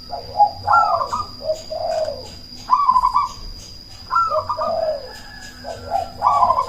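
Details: Loud, frequently calling cemani zebra dove, used as a lure so rival doves answer and breeding drive rises, repeats trilled, rolling coo phrases every second or two, each with a higher bubbling burst, over a faint constant whine.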